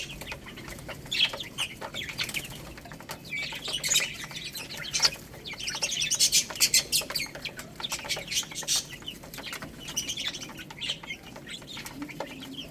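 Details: Group of chicks eating rice, a continuous busy mix of thin high peeps and dense pecking clicks, calls thickest in the middle stretch.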